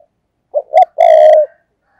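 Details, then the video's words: A single thúc gù phrase from a decoy spotted dove: two short low coos leading into a longer, loud, slightly falling rolling coo, then silence. "cu gáy mồi cây thúc gù"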